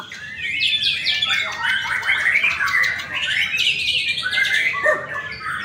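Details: Murai batu, or white-rumped shama, competing in an Indonesian training song contest and placing first; a continuous, dense stream of quick twittering notes and sweeping whistles, varied and loud, with other singers mixed in behind.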